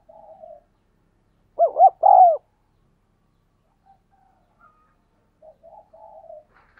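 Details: A spotted dove doing 'thúc gù' cooing, used to train decoys and make wild doves answer. Quiet murmuring coos open and close the clip, with one loud phrase between: two short arched notes and a drawn-out coo.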